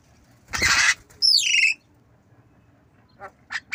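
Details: Captive black-winged myna practising coughing: a broad harsh noisy burst like a cough, then a descending squawky whistled note, followed by two short faint chirps.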